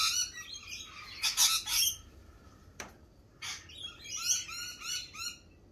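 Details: Lorikeets at a feeding cafe in spring, giving bursts of harsh, screechy chatter with broad noisy squawks, then a run of short repeated chirps; several birds call over one another, with a sharp knock midway.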